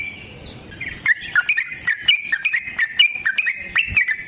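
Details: After a soft opening, a yellow-vented bulbul launches into its long, aggressive rolling song, played as a lure: steady, rapid whistled notes rising and dipping, around four each second.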